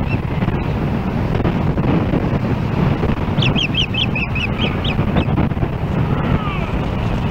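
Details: Nest-camera recording from Hellgate Canyon, Missoula, Montana, July 4, 2016: an osprey reacts to another osprey nearing its nest with a short burst of about eight piercing, high chirps, nearly buried in heavy rumbling wind.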